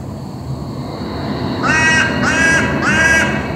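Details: A hooded crow in Berlin gives three loud, harsh, grating caws in quick succession, each about half a second long, over a steady low hum of city traffic.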